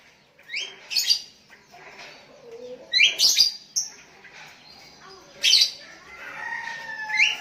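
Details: Sooty-headed bulbul calling to a rival decoy while others respond; bright upward-flicking chirps in pairs with sharp clicks, and a faint drawn-out tone near the end.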